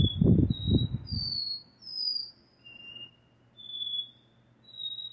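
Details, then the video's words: Double-collared seedeater with its classic repeating song: long, clear whistles rising step by step, then dropping back and climbing again; brief low knocking sounds at the start, then only faint hum. "Caboquinho DÓ RÉ MI REPETIDOR canto clássico"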